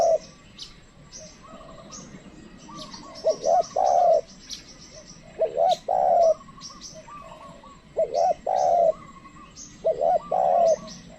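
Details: Trained lure spotted dove calling for wild birds, which stay away: repeated groups of husky coos, short upslurred notes leading into drawn-out level coos, set against dense high twittering of other birds.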